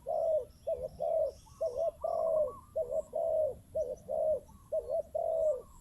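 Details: Decoy spotted dove giving hollow, mellow coos in quick succession, short notes alternating with drawn-out falling ones, with faint high bird chirps behind.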